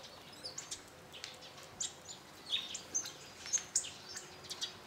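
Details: A flock of hawfinches at a garden bird feeder in northern Hungary gives scattered, very high, short tick notes, some thin and slightly whistled, spaced about half a second apart against quiet background.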